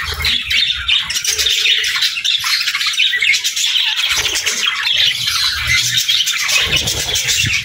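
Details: A flock of budgies keeps up constant scratchy warbling and squawky chirps, with soft low knocks scattered in the background.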